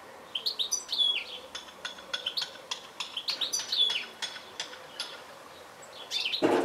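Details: Goldfinch calls as a run of rapid, bright, high twitters repeated in small groups, some notes sliding upward; a sharp clattering knock ends the recording.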